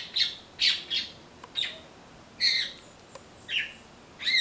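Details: A blackbird eating passion fruit, having found no ripe persimmons, gives irregular harsh squawks and buzzy doubled notes, with a few faint clicks between the louder bursts.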